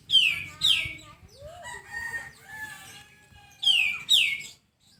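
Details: Sooty-headed bulbul singing on a masteran training track meant to spur quick singing: two pairs of loud falling notes open and close the passage, with softer mixed whistles and a rising note between them.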